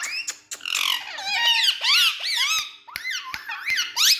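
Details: Indoor Indian ringneck parrot, one of three speaking parrots, delivers dense overlapping squawks and swooping whistled chatter, punctuated by sharp clicks, loud throughout the clip.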